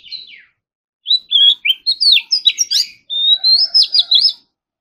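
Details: Oriental magpie-robin practising its song in the morning, competition style: a brief falling whistle, a pause, then a rapid string of clear, swooping whistled notes followed by a long rising whistle and a series of sharp trills.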